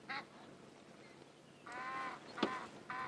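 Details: An Egyptian goose pair holds a morning "conversation" at sunrise on safari, 19 August 2016: harsh, nasal honks in three bursts over about three seconds, with a sharp knock midway and a soft background hiss.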